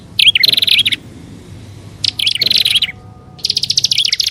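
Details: Prinia lure recording combining grassland and upper and lower prinia types: three bursts of sharp, high chirps and trilled notes with fast downward flicks, separated by short silent gaps, a faint low hum underneath.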